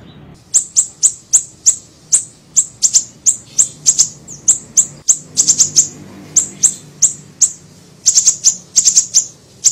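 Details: Little siri-siri bird on a lure recording: steady series of piercing high chips, roughly three per second, with occasional fast doubles and triplets, continuing almost without pause over low background hum.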